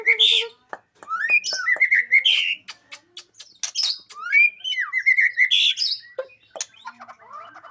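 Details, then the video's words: White-rumped shama, a caged bird, singing a dense varied song of rapid rolling phrases; sharp high whistles, quick slurred notes and clicks follow one another closely with short pauses. "Kombinasi Tembakan Murai Batu Suara pedas roll rapat"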